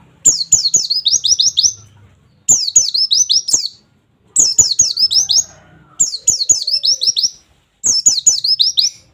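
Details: Raw oriental white-eye training audio in 'nembak' wit wit wit style: five evenly spaced phrases, roughly every two seconds, each a tumbling string of thin, high, downward-slurred chirps.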